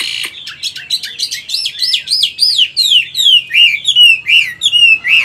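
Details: Vietnamese caged Chinese hwamei, old and wild-caught, sings in 'forest voice' style: a sharp opening burst, then a steady chain of arched, slurred whistles, roughly one every half second.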